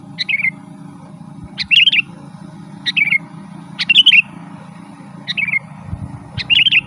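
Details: Sooty-headed bulbul in full, vigorous song for luring forest birds: six quick phrases alternate between a short sliding whistle and a longer bubbling, rolling warble, each starting with a sharp high click, over a low steady hum.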